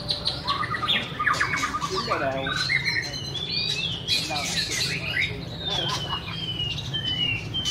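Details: White-rumped shama song mixing stuttered rattling notes, looping whistles and a long falling whistled glide, above a steady low hum.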